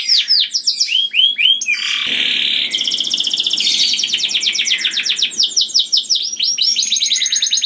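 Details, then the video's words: Canary singing sweetly and loudly to lure other canaries, swooping notes giving way to a sustained buzz and long fast rolling trills of repeated syllables. "Burung Kenari Bunyi Gacor Merdu dan Keras Cocok Sekali Untuk Pancing Kenari Lain || Voice of Canary"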